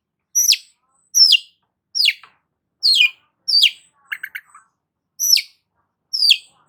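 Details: Long-tailed shrike singing actively, used to stimulate stressed shrikes: a series of sharp, falling buzzy notes spaced under a second apart, broken once by a quick burst of lower stuttering notes.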